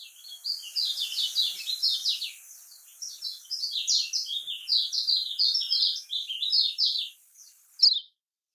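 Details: Lombok-style kecial kuning (lemon-bellied white-eye) singing a continuous, buzzy, scratchy chatter of high notes in steady bursts, closing with one sharp chirp.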